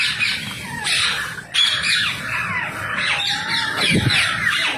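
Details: Wild rose-ringed parakeets calling while being fed: harsh screechy squawks in overlapping bursts, several birds at once, with a steady outdoor rumble beneath.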